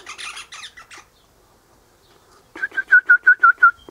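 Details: Eastern rosella (Platycercus eximius) perched high in a hedge in the morning, its mate in a nearby pecan tree, giving seven clear piping whistles, about three a second, after a burst of harsher chattering notes.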